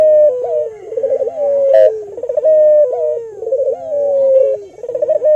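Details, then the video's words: Albino local Barbary dove calling, used to lure and stimulate other doves to sing: mellow hooting coos alternate with rapid rolling, trilled phrases, the pattern repeating about every two seconds, with a faint brief rustle midway. "Pancingan Burung Puter Lokal Albino Gacor Suara Merdu"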